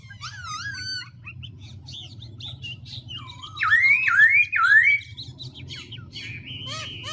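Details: Black-throated laughingthrush changing voice continuously: wavering whistles and scattered chips over a low hum, with a louder burst of three zigzagging whistled notes in the middle.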